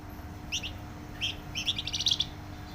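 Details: Flamboyan bird giving loud, tightly packed song: short sharp high chirps that speed up into a quick run of bright repeated notes, over a faint background hum.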